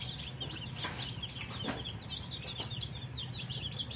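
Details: Colourful baby chickens, described as thirsty and drinking water, give dense, rapid high peeping chirps that overlap continuously, with a low steady hum underneath.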